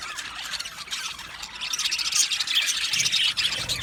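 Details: Budgies in an aviary colony, Australian parrots, producing a steady wash of high scratchy chatter and chirps from many birds, with no clear gaps.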